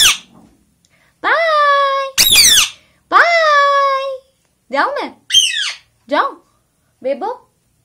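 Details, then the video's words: Pet 10-month-old Indian ringneck parakeets, still learning to talk, indoors in winter around bath time: three long, harsh squawks in a small room, then a quick run of short, clipped squawks. "HOW TO TRAIN YOUR INDIAN RINGNECK PARROT TO TALK"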